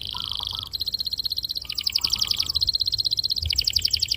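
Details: Domestic canary singing a long, fiery rolling song, used as a lure to stimulate young canaries to learn to sing: fast buzzy trills repeated several times a second, switching between high and very high rolls, with brief lower whistled notes.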